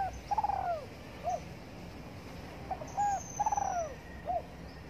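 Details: Spotted dove sunbathing in the morning gives two full cooing phrases. Each has a quavering, falling coo and a short closing note. Faint high thin whistles sound in the background.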